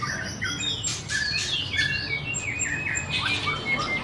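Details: White-rumped shama song made of quick rising and falling whistled notes and sharp chips, packed closely in a varied run, with a constant low background drone.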